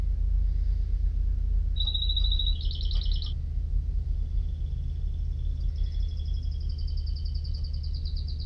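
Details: Canary singing two short rapid trills in succession, followed after a pause by a faint, long, thin high trill, against a steady low hum.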